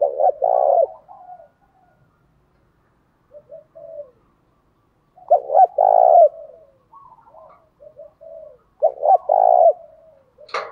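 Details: Song of a spotted dove used to goad other doves into fighting: three strong coo phrases spread over ten seconds, stuttered openings leading to a resonant drawn-out note, with soft low notes between and a sharp click at the end.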